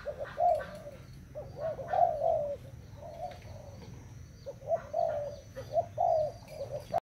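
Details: Spotted dove from Thailand, recorded 25 August 2018, cooing: repeated low throaty coo phrases, each a short rising then falling note group, roughly every second, over steady low background noise.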